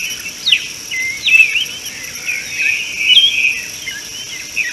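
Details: Common bulbul at an African watering hole on 13 March 2018, giving quick, liquid chirps and slurred whistled notes in short bursts over a steady high drone of insects.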